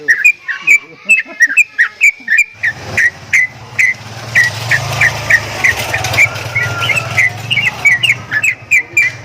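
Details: Javan myna giving odd sounds, a regular run of short whistled chirps about two per second that carries on over a rising engine-like drone in the middle.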